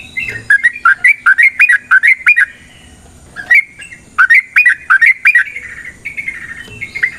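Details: Fighting song of a yellow-vented bulbul, played to provoke a rival response: two bursts of quick, bubbling, warbled notes, each a run of about eight rising-falling syllables, separated by a pause of more than a second.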